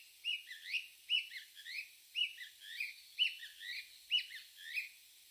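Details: Unidentified bird giving repeated phrases of twisting, whistled chirps that sweep up and down, about one phrase per second, clean and free of other sounds.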